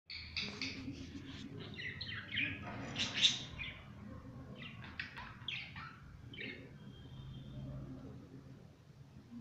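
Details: Pet budgerigars playing indoors, giving bursts of scratchy chirps and warbling chatter with brief pauses, a faint low hum underneath.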